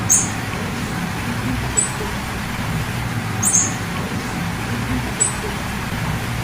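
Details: Female blue-black grassquit uttering short piercing chip notes, four calls at uneven intervals, with a continuous low hum of passing vehicles underneath.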